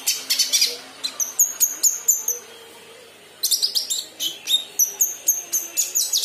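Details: High, thin chirps from a young kinoi still learning to sing, delivered in rapid runs broken by a brief pause, notes sliding downward, against a soft steady hiss.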